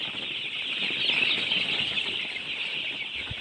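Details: Many baby chicks chirping at once, a continuous high, bright chatter of overlapping peeps that swells slightly midway.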